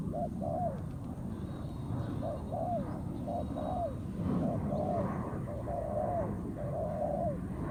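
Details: ['Wild spotted dove cooing at a decoy in a ground trap, its low paired coos repeated through loud engine-like rumble and background noise.']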